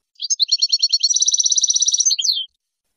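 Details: Goldfinch song in the 'lugha' tutoring style, 2022 season: a bright twitter that runs into a rapid buzzy trill of even repeated notes, closing with a falling chirp, heard cleanly without background.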